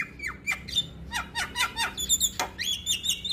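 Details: Male Javan myna song aimed at prompting other mynas to join in: squeaky, sliding whistles and scratchy notes jumbled together, some rising and others dropping sharply.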